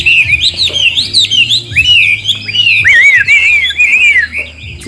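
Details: Wild-caught adult Chinese hwamei with a fine forest-type voice, singing while fanning its tail, pours out a loud, continuous run of rich slurred whistles swooping up and down in quick varied phrases; low murmur of voices underneath.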